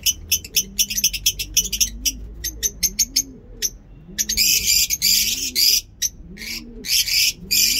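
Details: Captive lovebirds in an aviary setup of breeding and normal pairs keep up a dense, shrill chatter of sharp high chirps and squeaks. Low, soft pigeon cooing repeats about every second underneath, with a voice faintly in the background.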